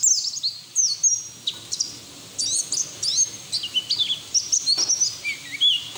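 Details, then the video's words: Open-billed song of a white-eye, meant to draw other white-eyes into singing: scattered high sharp chips and short slurred whistles in loose bursts, with faint background hiss. "PLECI NGERIWIK TELER BUKA PARUH NGALAS UNTUK TERAPI PLECI BAHAN"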